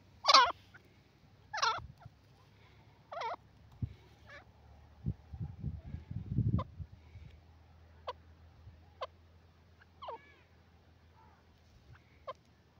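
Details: Black francolin (Francolinus francolinus), call.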